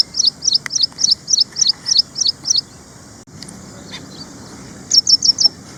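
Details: Ashy prinia (ashy wren-lark) in India giving a long run of about ten evenly spaced, high, sharp double-noted chirps, then a pause with a faint click, then a final quick series of four.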